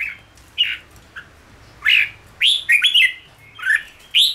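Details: Red-whiskered bulbul in training for the ché singing style, meant to quickly come into voice for cafe play; short liquid whistled phrases, rising and falling, scattered with pauses over a faint low hum.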